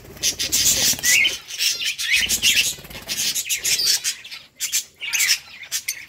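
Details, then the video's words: Pet peach-faced lovebirds chattering in dense, raspy, high chirps and squawks, several birds overlapping in continuous bursts with brief pauses. "Lovebird sounds | Peach face Lovebirds | Peach face lovebirds talking"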